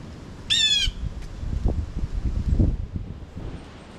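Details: A single loud, harsh jay call from a blue jay at a feeder in late fall, short and rasping, followed by soft low thumps and rustling.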